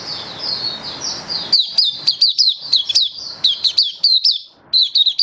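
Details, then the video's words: Display song of a captive oriental white-eye: quiet high warbling over background rumble, then rapid, sharp, high chirps with clicky edges repeated in quick succession. "Mata Puteh Happy Buka Sing"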